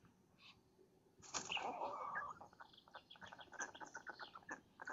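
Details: Black storks at a nest near Lodz, Poland, at dawn on 30 May 2017, as the male brings food to the chicks and female. After a quiet start, a loud hoarse burst is followed by rapid short raspy notes.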